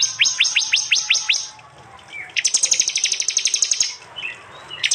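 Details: Prinia voice in an East Java training compilation recorded by Android phone: six quick descending slurred whistles, then a fast, even run of sharp high ticks lasting about one and a half seconds.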